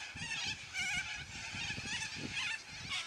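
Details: Noisy flock of yellow-crested cockatoos giving loud squawks: a dense wall of harsh, raspy, overlapping screeches with several bursts in about three seconds, and low thumping sounds underneath.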